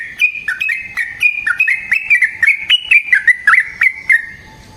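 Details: Continuous rolling song of a sooty-headed bulbul meant to provoke other bulbuls into singing, a chain of short liquid whistled notes wavering up and down, steady and unbroken.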